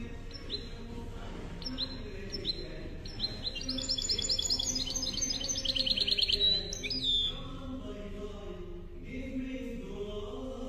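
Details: European goldfinch song in the Málaga copia style, a tape for tutoring young goldfinches and hybrids: twittering notes building to a fast, bright, high-pitched rattling trill, then scattered tinkling phrases, over a low murmur.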